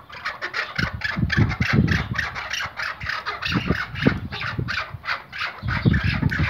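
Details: Iraqi white hunting Chukar, kept tethered, gives rapid raspy clucking notes while deep thumps and knocks sound underneath.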